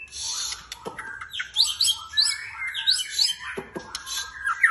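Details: Caged White-rumped shama delivering a dense, varied song of sharp high chirps, buzzy notes and quick slurred whistles, rapidly alternating with almost no pauses; a few soft knocks are heard.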